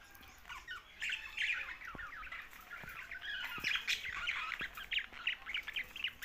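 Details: Budgerigars, Australian parrots, give a run of short, scratchy chirps and warbled notes in quick succession over faint background hiss, with occasional sharp clicks.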